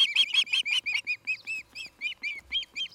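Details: Osprey calling at its nest in Charlo, Montana, August 17, 2018, evening: loud, slightly hoarse whistled chirps in quick succession, the first ones harsher and fuller, later ones thinner and clearer.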